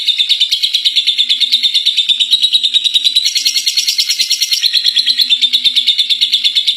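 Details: Lovebird that took first place in a contest, singing ngekek, a long chattering song: continuous high, buzzy, rapidly pulsed chatter, roughly three pulses a second, loud and sustained, with a brief brighter stretch midway.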